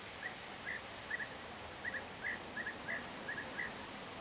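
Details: European bee-eaters in June 2023 give short, rolling 'prruip' calls, single or in quick pairs, about twice a second over a low background hiss.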